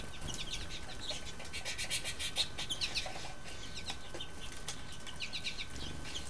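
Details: American goldfinches drink at a heated backyard birdbath in Ontario in winter, at -15°C on 15 January 2012; several birds chatter in a dense run of short, high twittering notes over a steady low rumble and faint hum.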